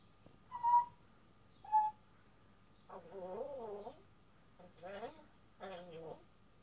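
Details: Male pet African grey parrot speaking for the first time: two short whistled notes, then three mumbled speech-like phrases with wavering tones, separated by short pauses.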